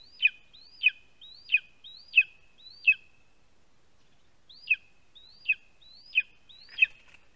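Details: Lesser spotted eagle chick at a spruce-tree nest in Latvia, calling as a parent brings a vole, 2 August 2020 around midday: high, sharp, down-slurred yelps repeated about once a second, five then four after a pause, quiet background.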